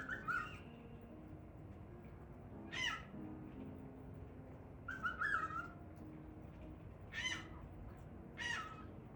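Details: An excited male cockatiel gives loud, raspy squawks, each a brief harsh burst, spaced a couple of seconds apart.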